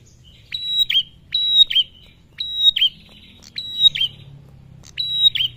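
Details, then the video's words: Five ringing phrases from a male bar-winged prinia lure, a steady high whistle then a quick descending flick each time, about a second apart, over faint low noise. "Suara Prenjak Tamu Jantan Gacor - Pancingan Ampuh Bikin Burung Prenjak& CIBLEK Bahan Cepat Bunyi"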